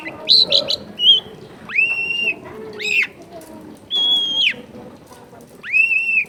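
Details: Long-tailed shrike in lively song full of imitations, clear-voiced: quick high chips, then long steady whistles held for half a second or more, separated by short pauses.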